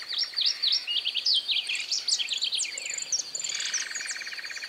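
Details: In pampas-grass (cortadera) habitat in Santa Fe, Argentina, in 2020, a Southern Yellowthroat sings a rapid, high warbling jumble of sharp chirps and slurred notes ending in a buzzy trill; males sing much in breeding season; other small birds may chirp.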